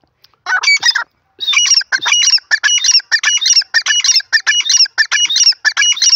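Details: Wild grey francolin, jungli teetar, in a jungle setting, delivering a loud, rapid series of harsh, squawking phrases, repeated nearly a dozen times almost without pause.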